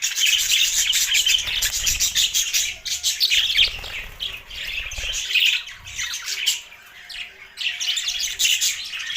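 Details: A group of budgies chirping: overlapping high warbled chirps and scratchy notes, loud for the first half, then easing into softer bursts with brief gaps before swelling again.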